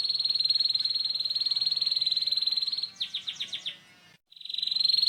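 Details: A canary sings a coarse ngeriwik trill as a lure for learning young canaries. The rapid, even, high rattle breaks into five quick descending chirps, falls silent briefly, then the trill resumes.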